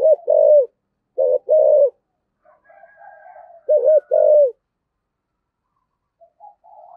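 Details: Spotted dove in the 'thổ' voice style cooing to call the flock, used as a decoy lure; paired, rounded low coos in bursts separated by pauses, with softer murmured notes and a faint higher tone between.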